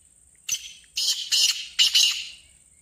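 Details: Black francolin voice, used to prompt caged birds to call: a grating three-part phrase of harsh, broad notes with slight echo, the final pair closely linked, over a faint low hum.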